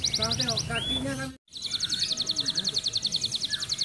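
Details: Quick 'speed rapat' singing by an F1 canary with regional training-contest wins, near moulting: short trills and a whistle, a brief dropout, then a long, very regular, rapid buzzing trill.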